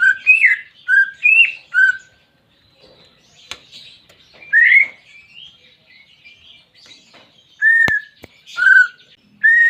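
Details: Greater green leafbird song played as therapy to rouse a pet bird that will not sing: clusters of short whistled notes, then a pause with soft sliding twitters, then more loud whistles with sharp clicks.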